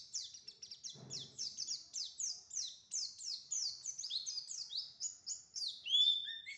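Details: Prenci white-eye in ngriwik ngebren song, a fast string of thin descending chirps repeated several times a second, high and continuous, ending in a few longer slurred notes; a faint low thump early on.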